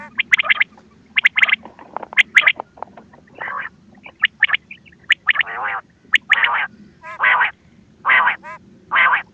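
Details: Quail calls used as a hunting lure, ghungay wal style: rough buzzy bursts, some grouped in fast pairs, then longer spaced rasps toward the end, with faint high chirps between.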